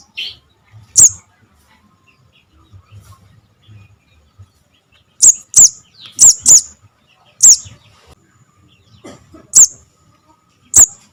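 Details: Javan cuckoo chick, the call used as a bird-trapping lure: one high chirp, a pause of four seconds, then a burst of seven shrill squeaks, some in quick pairs.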